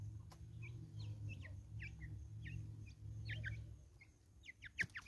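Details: Flock of Natal spurfowls in woods in South Africa giving a rapid scattered series of short, harsh, downslurred notes, several birds overlapping, over a steady low hum and a couple of sharp clicks.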